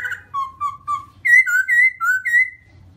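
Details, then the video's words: Black-throated laughingthrush, white-cheeked form, singing a series of clear whistled notes, low level phrases at first, then higher, brighter slurred whistles in a quick sequence. "Garrulax chinensis white cheek singing, beautiful shape, singing sound or just like in the wild"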